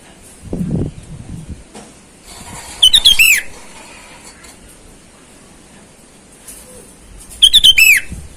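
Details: Lure call of a wild sooty-headed bulbul summoning rivals: two loud phrases of bubbly whistled notes, each closing with a descending slur, about four and a half seconds apart, with soft rustling between.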